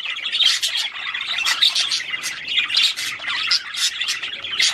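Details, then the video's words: Budgerigar singing to stimulate a female to mate, a loud, unbroken stream of buzzy, squeaky warbling and chattering notes throughout. "تغريد طير البادجي لتحفيز الأنثى على التزاوج"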